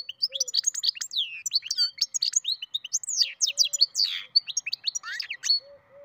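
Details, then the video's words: European goldfinch × canary hybrid, a mule, singing: a fast, varied stream of bright high twitters, sharp up- and down-sweeping whistles and buzzy notes running without pause, with a few soft low chirps underneath. "καρδερινοκαναρο κελάηδημα (European Goldfinch carduelis mule singing)"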